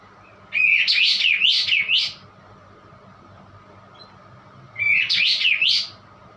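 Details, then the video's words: High, shivering warble from a white-eye said to sound strange, delivered as two short trilled phrases separated by a pause of a few seconds. "kapas tembak bunyi aneh"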